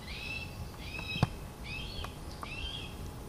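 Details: Four red-tailed hawks, a pair with this year's young, call while circling over an owl nest site. Four raspy, drawn-out screeches fall slightly in pitch, spaced under a second apart. One sharp click sounds near the middle.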